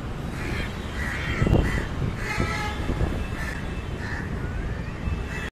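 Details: Crow at its high-rise apartment nest in Leipzig, giving paired hoarse caws in short bursts against heavy low rumbling city or rail noise.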